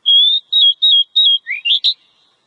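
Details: Wild Oriental magpie-robin, singing in the ngobra style: four sustained level whistles, then a quick run of rising, slurred notes that climbs higher at the close. No other sounds.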